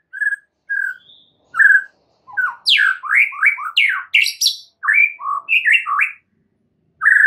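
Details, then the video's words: White-rumped shama singing a lively master song used to train caged birds: clear whistled notes near one pitch, then a rapid burst of varied rising and falling slurred phrases with sharp high notes, separated by short silences. "MASTERAN mUrai batu GACOR"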